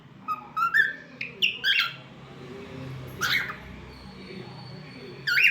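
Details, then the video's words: Cockatiel, a talkative pet bird, making different sounds: rising whistled phrases and quick chirps early on, a harsher mid-clip call, then a loud whistled burst at the end. "Talkative Bird 🐦 Singing n Making Different Sounds"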